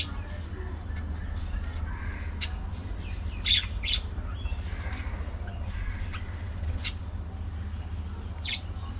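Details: Budgerigars in a social colony, with scattered sharp chirps and squawks at irregular intervals over a steady low hum.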